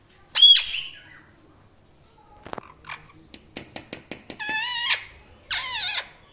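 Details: Pet Indian ringneck parrot making varied sounds: one loud piercing squeal, soft clicks, then a quick string of ticks and two longer, buzzy, wavering harmonic calls.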